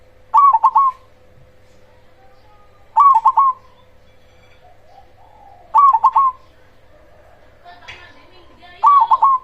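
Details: A loud-singing zebra dove of the cemani type serves as a lure to get other zebra doves answering. Four phrases of quick, stuttered coos come every three seconds or so, with a faint chattering noise before the last one and a constant hum.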